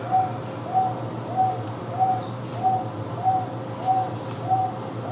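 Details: A captive Wonga pigeon at Houston Zoo repeats a single clear, mid-pitched coo about every two-thirds of a second, steady and monotonous, over a low mechanical hum with faint chirps from other birds.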